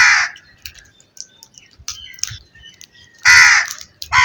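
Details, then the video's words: Rough, grating crow caws open and close the recording, with a louder drawn-out caw late on and faint clicks in between. "All types of Crow Sounds"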